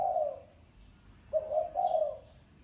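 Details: Spotted dove, thổ sấm style: the tail of one coo, then a phrase of a short note and two longer, throaty rolling coos.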